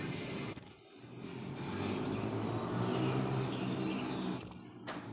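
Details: Blue-crowned hanging parrot, agitated before the camera once dry from bathing, utters two thin, very high squeaky calls nearly four seconds apart against a low background hum.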